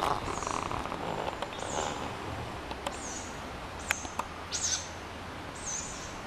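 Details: Tawny owl chicks in a group at night, begging for food and keeping contact: a series of brief, sharp, high wheezy calls, growing clearer toward the end, mixed with faint clicks and rustling.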